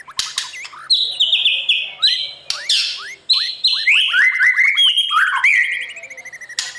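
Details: White-rumped shama singing at dawn as a voice lesson for a young competition bird. Sharp clicks and upswept notes lead into long descending whistles and a quick series of rising chirps, all loud and rich.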